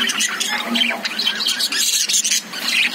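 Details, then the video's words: Lovebirds inside a cage give a continuous jumble of shrill chirps and scratchy squawks, several birds calling over one another. "Love birds sound"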